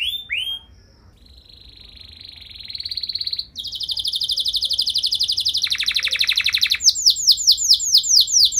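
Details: Singing canary with lengthy, elaborate phrases used to provoke other canaries: a couple of rising chirps, a soft buzz swelling louder, long rolling rattling trills, then rhythmic rising whistles repeated several times per second.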